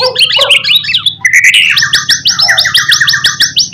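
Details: Lure song of a white-rumped shama meant to prompt other shamas to reply, with quick mixed chirps and then a long series of bright, evenly repeated rising whistled notes, a low hum beneath.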